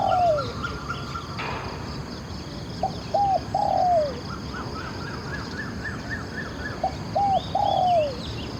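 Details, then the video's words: Spotted dove phrases at a decoy session: a falling coo, then short rising notes leading into a long drooping coo, repeated twice, with faint chirps of other birds behind. "ออกต่อนกเขามหญ่ เจ้าหลิ่วคารมหนุนขัดเปลี่ยน อ ช้าง เสียงดีมาก"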